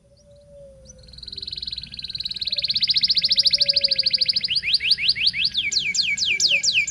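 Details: Local canary singing in lively form, used as a lure to teach young canaries to sing: a quiet start building into fast buzzy trills, then rapid repeated downward-sweeping whistled notes, with a faint low hum beneath.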